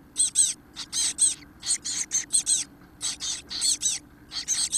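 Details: Chestnut-backed Chickadee nestlings, 17 days old and 4–5 days from fledging, being fed on 13 Apr 2018 around 9 a.m., give high, hissy, buzzy begging bursts in quick repeated clusters over a faint low hum.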